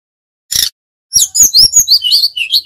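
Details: Bali-origin brown-chested jungle flycatcher giving flute-like whistled song: a brief harsh burst, silence, then a rapid chain of high swooping whistles, rising and dipping several times a second.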